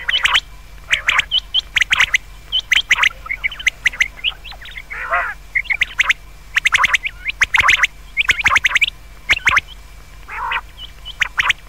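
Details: Common quail calling at night: dense clusters of sharp, clipped notes in bright bursts, several birds overlapping, with a brief lower, buzzy, nasal phrase near the middle.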